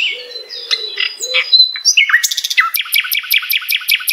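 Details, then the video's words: Common nightingale (Luscinia megarhynchos) sings a varied phrase of low notes and sharp whistles, then a fast, even run of about six clicking, rattling notes per second. "MASTERAN SUARA BURUNG | Common nightingale Luscinia megarhynchos"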